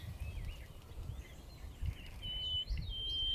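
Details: Common nightingale (Luscinia megarhynchos) singing on a riverbank: scattered whistled phrases, some sliding and wavering, growing stronger toward the end, over a steady low rumble of running water.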